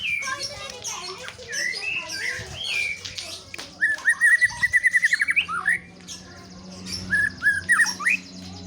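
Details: White-rumped shama singing varied loud whistled phrases, some upslurred, broken midway by a rapid run of about a dozen repeated ringing notes, then more rising whistles; a faint low hum runs underneath.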